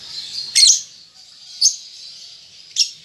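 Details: Juvenile lovebird practising ngetik ngekek chatter: continuous high, thin twittering broken by three abrupt, loud shrill chirps spaced about one second apart.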